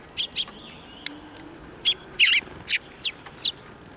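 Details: Sparrows flying in to be fed at a Tenmangu shrine, 21 April 2024, utter a string of loud, harsh chirps, some doubled, spaced roughly every half second over a quiet background.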